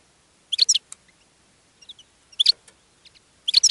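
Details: European goldfinch singing in a cage, attracting other goldfinches: three short bursts of high, tinkling twitter roughly a second apart, with faint soft notes between them.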